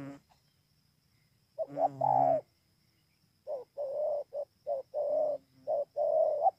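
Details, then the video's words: Spotted dove at Bờ Y, Kon Tum, Vietnam, recorded 28 November 2017. A brief low murmur, a pause, then mellow mid-pitched coos in short-long pairs, a quick note followed by a drawn-out slurred coo, repeated several times. "CU GÁY"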